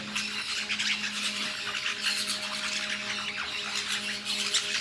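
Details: Harsh overlapping squawks from lorikeets feeding on fruit in La Fortuna fill the recording continuously, over a faint constant low humming tone.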